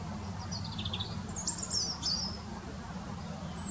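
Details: European robin perched in a tree in a local park, singing very vocally for several minutes; thin high warbled phrases, sliding and trilling, over a steady low rumble of distant traffic.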